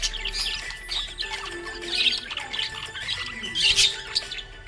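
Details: Cheerful budgie chatter: uneven, scratchy chirps and squawky notes in loose clusters, loudest near the end, with soft music playing in the background.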